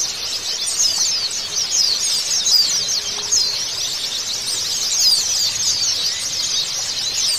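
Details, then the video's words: White-eye song used as therapy to get a silent bird singing again: a dense, continuous stream of high, thin twittering and rapid chirps that runs without pause through the whole recording, with no other sounds. "TERAPI PLECI MACET"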